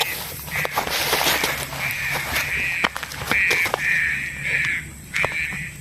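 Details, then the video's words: Green pigeon call used as a lure for trapping: a series of harsh, drawn-out notes held at a steady pitch, each lasting about half a second, broken by short sharp clicks, over a faint low hum. "Poin burung Punai daun"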